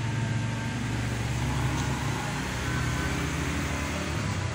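A steady low engine hum and traffic rumble fill the recording, with no animal calls audible.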